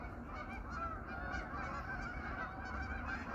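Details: Hundreds of geese that winter on a pond chatter on an autumn evening, producing an unbroken mass of nasal honks, some repeated in quick bursts, over a low hum.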